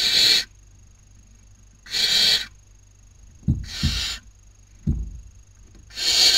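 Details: Barn owl chicks squabbling over dinner at a nest box in Cabañeros National Park, Spain, breeding season 2019; loud breathy hissing screeches spaced about two seconds apart, low knocks and scrapes between them.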